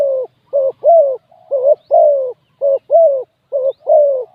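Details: Spotted dove kept as a ground decoy, cooing to lure wild doves: a steady series of short, mellow, hooting coos, roughly one per second. Some notes are slightly longer and falling. Quiet background.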